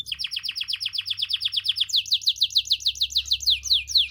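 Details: White canary and crested canary singing: a rapid, even trill of fast repeated notes, about eight per second, that switches after two seconds into a higher tour of sweeping downward-slurred notes.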